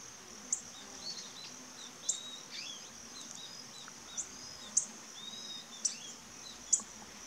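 Bananaquit giving very high, thin, sharp tsip notes at irregular intervals of one to two seconds, over a steady high insect hum and faint chirps.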